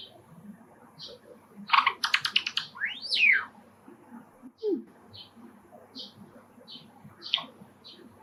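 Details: Java sparrow kept as a pet, singing near an open window as sparrows call outside; a quick rattle of harsh notes and an arching whistle, then scattered soft chirps.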